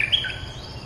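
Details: Streak-eared bulbul, a territory holder answering lure calls, gives a brief burst of sharp whistled notes that drop from high to lower pitch in under a second, over a low steady hum.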